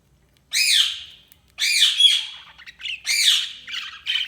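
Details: Pet budgies give loud, raspy, downward-sliding squawks, three of them spaced about one and a half seconds apart, with softer chattering notes between the last two.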